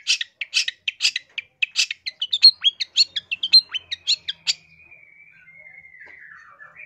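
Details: Long-tailed shrike singing as a master recording for training or luring birds: a rapid run of varied chirps and sharp slurred notes for about four seconds, then a thin, fading, drawn-out trill.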